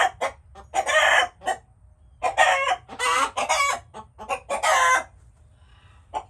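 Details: Chickens calling: rough, rasping squawks mixed with short clucks, several birds overlapping, fading to a few scattered clucks at the end.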